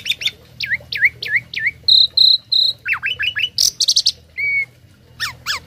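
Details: Tame Asian pied starling with imitated fills, used to tutor other birds: down-slurred chirps, three flat high whistles, a run of quick descending notes, a short buzzy burst and a pure lower whistle.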